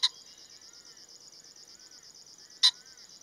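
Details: Male common pheasant calling: two sharp, loud, broadband bursts nearly three seconds apart, over a steady high pulsing insect trill and faint soft whistles.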